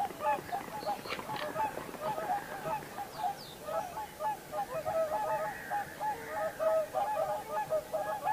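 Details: Common cranes, Heinä-Suvanto nature reserve in Viitasaari, 26 April 2011: a continuous chorus of overlapping trumpeting and honking calls, rising and falling in loudness throughout, with several birds seemingly calling at once.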